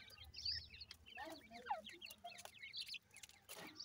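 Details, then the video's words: Feeding francolin chicks make many brief, high, downslurred peeps in rapid succession, several birds calling at once, with occasional dry clicks and a low rumble underneath. "Teetar chicks ke awaz"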